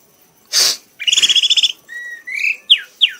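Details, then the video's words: Red-whiskered bulbul, caged competition bird singing in an excited state: a loud noisy burst, then a rapid buzzy trill, a level whistle, a rising whistle and two sharp descending notes. "kanis merah bunyi sambil mabok sampai lemas"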